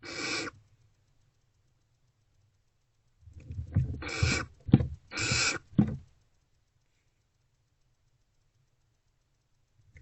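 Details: Barn owls at their nest box between 2:15 and 2:33 am, 28 February 2024, being well supplied with food: one brief harsh hiss, silence, then two more rasping hisses with scuffling thumps in between.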